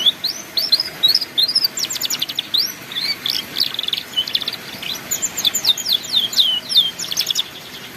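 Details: Master ngeriwik song of a canary for training young canaries: continuous high twittering with curved whistled slurs and a fast rattling trill, rising into dense repeated downslurred notes near the end.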